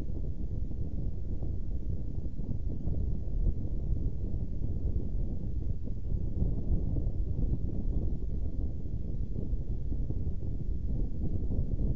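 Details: Steady, heavy low rumble of wind buffeting the microphone at a saker falcon nest box during feeding time, with no animal calls heard.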